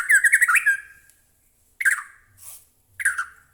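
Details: White-rumped shama, a captive bird's song used as a lure to provoke other shamas into singing: a rapid burst of rich slurred whistles and chattering notes, then two shorter rising-and-falling phrases after brief pauses.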